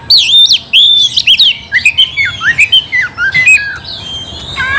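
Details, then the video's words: Oriental magpie-robin song to provoke a fight, opening with strong looping whistles, then quick falling slurs and scratchy chirps in rapid series, fading to softer sliding notes. "Kacer gacor bikin kacer ngamuk"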